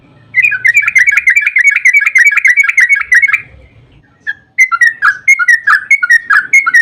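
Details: Yellow-vented bulbul in long rapid 'ropel panjang' song, used as a lure to make other bulbuls answer: a fast run of bright chirping notes for three seconds, a brief pause, then another quick series of slurred notes.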